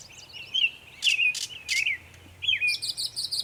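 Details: Savannah, New York, 23 May 2021: Northern mockingbird delivering many sounds, slurred whistles interrupted by three harsh broad rasping bursts, then a sweeping whistle and a fast high repeated ticking series.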